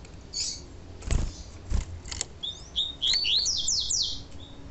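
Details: Male double-collared seedeater singing the pure 'tui tui' song style: after low knocking thumps, a fast run of high, sharply descending whistled sweeps repeats over about a second and a half, ending in a soft trailing note.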